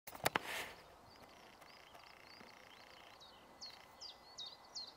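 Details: A European stonechat at Ljubljana Marsh, Slovenia, on 31 March 2023 gives a quick run of thin, high whistled notes, each sharply bending in pitch, after a loud thump, over a steady wind-like hiss.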